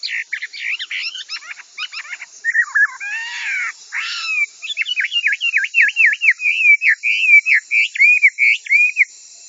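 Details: Hwamei, or wambi, singing to serve as a model for training kiacu birds: mixed chattering and scratchy notes at first, then a long run of quick repeated looping whistles.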